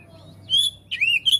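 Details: Oriental magpie-robin song meant to make other birds of its kind respond: a short high whistled phrase, a brief pause, then a bending whistle and a sharp rising note.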